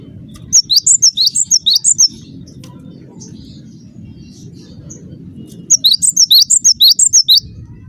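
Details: Cinereous tit lure call meant to make other tits answer: two bursts of about eight sharp, high, quickly repeated chirping notes, over a steady low rumble.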